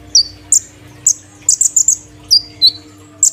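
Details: Loud caged kolibri ninja sunbird, three days after moving cage: separate high, sharp chirps with a short cluster of quick tweets, set against a faint constant hum.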